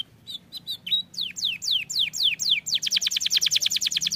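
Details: Canary song said to make other canaries start singing at once: a few short high chirps, then a run of clear downward-sweeping whistles, ending in a fast, bright, evenly pulsed trill.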